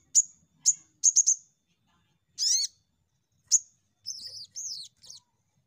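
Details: Crimson sunbird in a lure recording meant to set other birds singing: quick high chips in a short burst, a stacked downward-curving note, then wavering thin whistled phrases.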